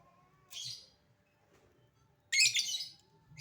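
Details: Lovebird calling, one scratchy chirp then a longer loud rasping chatter, with a faint low hum behind.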